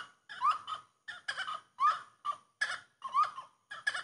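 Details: Chorus of a grey-cowled wood rail: loud rhythmic cackling phrases, each opening with a rising whistled note followed by harsh broadband bursts, repeated roughly twice a second with brief pauses.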